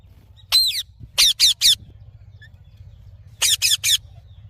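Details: Green parrot giving one downslurred screech followed by two tight triplets of sharp, piercing squawks, with quiet gaps between bursts and a steady low rumble behind.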